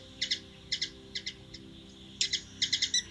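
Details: Hummingbird calling in Washington DC, USA: paired high chips, then a pause, then a quicker run of four or five chips at the end.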